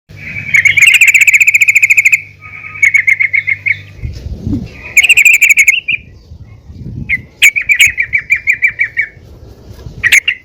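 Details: Female yellow-vented bulbul calling the male, used to make the birds sing; rapid chattering bursts of sharp notes near one pitch, repeated in runs of one to two seconds with short pauses, low hum underneath.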